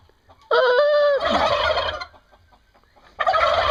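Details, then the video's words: Turkey gobble recorded in Brazil: a single loud, rattling burst lasting well over a second, followed by quieter scuffling and a second gobble starting near the end. "Funny Turkeys gobbling and making funny sounds"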